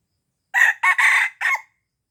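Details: Crow of a red junglefowl from Aceh, a call used for luring wild birds; four rough syllables with brief gaps, the long third note strongest and the last one ending in a quick upward trail.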